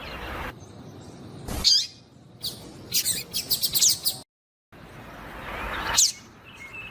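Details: Female Yellow-bellied Seedeater calling to get a male singing; scattered sharp high chirps, then a quick cluster of five or six rapid notes, a silent gap, and another lone chirp.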